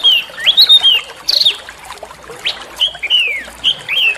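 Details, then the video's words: Small songbird recorded as a training song for white-rumped shama and oriental magpie-robin, described as rough but melodious bursts, in a natural setting; varied slurred whistles, some rising and some falling, delivered irregularly with short pauses. "masteran burung kecil agar murai batu gacor"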